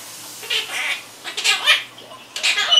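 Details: A Quaker parrot kept as a pet babbles in harsh, slurred syllables: two bursts early, a rising-and-falling run in the middle, then a scratchy squawk starting near the end. Faint household hum underneath.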